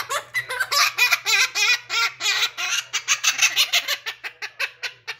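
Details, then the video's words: Blue-crowned conure imitating laughter in a small room, a long string of rapid, raspy, chuckling bursts repeated about three times a second, loud and harsh, fading into shorter clipped notes at the end. "Laughing blue crown conure"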